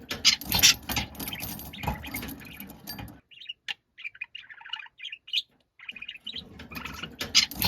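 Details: Angry, noisy pet budgerigar: dense, harsh chattering at first, then a quieter run of clipped, warbled high chirps repeated rapidly, before loud scratchy squawks return.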